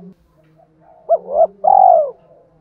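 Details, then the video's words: Spotted dove in the thổ voice style, giving a challenge call meant to provoke fighting mixed with calling song: after a faint low hum, a short rising-falling coo is followed by a long, burry, descending coo. "cu gáy giọng thổ pha thúc đấu + gáy gọi, tiếng thúc đấu rút bổi căng đét"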